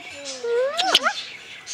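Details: Captive male red-sided eclectus parrot, hatched February 2008, being tickled at home: a drawn-out rising and falling harmonic vocal sound, with a loud clap-like burst in the middle and quiet background.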